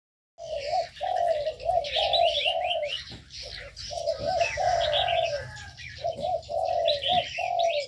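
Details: Mixed birds kept in an aviary: a steady run of low, mellow cooing phrases repeated about every half second, overlaid with quick high chirps and twittering, with faint background hum.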